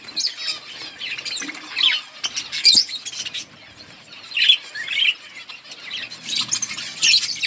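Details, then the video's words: Budgerigars chirping in their colony while eating green leaves; bursts of bright twittering chirps and warbles every second or so, with a sharp click partway through. "Budgies parrot eating green leaves budgies birds chirping sounds in budgies colony"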